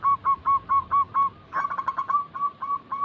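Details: Zebra doves, local and Bangkok types, cooing as a lure recording meant to prompt reluctant caged birds to start singing: mellow hollow notes repeated about twice a second, then overlapping callers with clicks and knocks after the first half.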